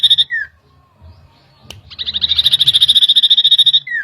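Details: Common iora lure song for stirring agitation: opening with a falling whistle, then after a pause a long rapid trill of shrill repeated notes, roughly eight per second, ending in another down-slurred whistle.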